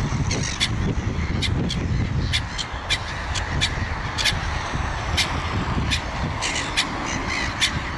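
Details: Flock of gulls giving short, harsh, clipped calls in quick succession, many birds overlapping irregularly, over constant low-pitched noise such as wind or surf.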